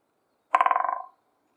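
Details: Spring drum roll of a woodpecker knocking its beak on a dry tree branch: one fast, even series of about twelve resonant taps over half a second, starting sharp and steadily quieter, with a clean, quiet background.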